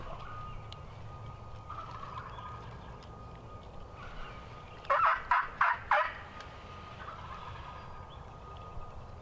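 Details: Wild turkey gobbling in the background during a spring 2020 hunt in Wisconsin: a single burst of four rapid, rough, rattling pulses midway through, over a steady electrical hum and faint outdoor noise.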